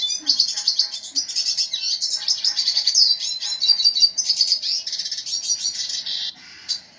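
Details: Red siskin pouring out a long, unbroken twittering song of high, buzzy warbles and fast trills that rise and fall, ending in a short pause and one final chirp.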